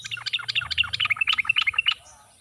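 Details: A lively, rapid run of bubbling, chattering notes from a sooty-headed bulbul lasting about two seconds, in the wild forest style used to prompt lazy birds to start singing, over a low hum.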